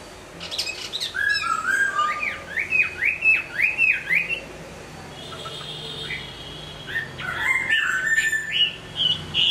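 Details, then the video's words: Hwamei song while moulting: a quick series of sharp upslurred whistles repeated about twice a second, then a quiet pause and a further burst of varied whistles and chatter. "Hoạ mi hót khi đang thay lông"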